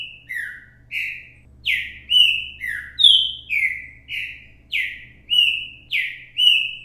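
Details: Repetidor mateiro song of a green-winged saltator, captured live as a lesson for young birds: loud, full whistled notes alternating high and lower pitches, some dipping downward, in an even, rhythmic string.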